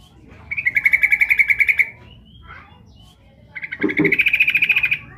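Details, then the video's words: Female yellow-vented bulbul (trucukan) calling to the male, used as a lure: two rapid buzzy chattering trills, each about 1.3 seconds of fast even pulses, separated by a pause with a faint short note and low background rumble. "trucuk betina memanggil jantan"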